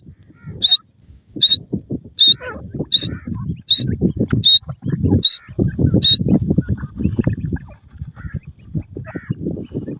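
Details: Female Iranian partridge with chicks gives a run of brief, bright high notes spaced under a second apart, then stops, with steady low rustling and thumping underneath throughout.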